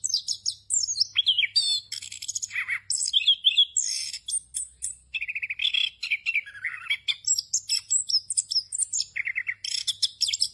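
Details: Rolling, nonstop song of an orange-headed thrush, a Southeast Asian forest songbird, full of varied fill phrases: high thin whistles alternate with lower warbled runs and dense chattering bursts, barely pausing for breath.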